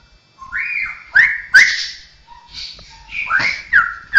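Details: Cucakrowo, or straw-headed bulbul, whose song includes imitated birds, cats and people; clear whistled notes that rise and then hold steady, with sharp accented peaks and brief low soft notes between phrases.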